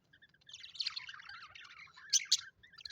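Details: Happy budgerigars kept as pets, chirping in a continuous jumble of high warbles and squeaky notes, ending with two sharp loud chirps.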